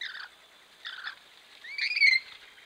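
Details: Bathing Rainbow lorikeets recorded by a camera trap: two short grating squawks followed by a longer, rising, strained screech.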